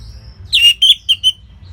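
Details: Orange-headed thrush, a caged bird kept for song training in Singaraja, North Bali, giving short clear whistled notes around a steady pitch, four quick phrases after a faint high whistle.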